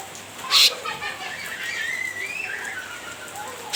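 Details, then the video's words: Cucak ranting goading a rival: one loud harsh burst, then a long wavering whistle that rises and falls, over steady low background hiss. "Burung cucak Ranting gacor nyrecet menggoda lawan"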